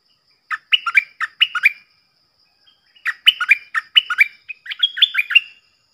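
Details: A captive decoy stripe-throated bulbul, whose song is played for young birds to copy and to lure wild birds, sings quick, bubbly, liquid phrases of four to six notes, in two bursts with a pause between.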